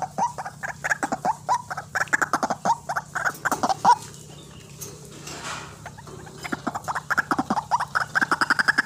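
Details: Harsh, rhythmic croaks of a white-breasted waterhen, played as a lure for trapping birds. Loud repeated notes come in runs, break off into a short quieter gap midway, then resume quickly. A constant low hum sits underneath.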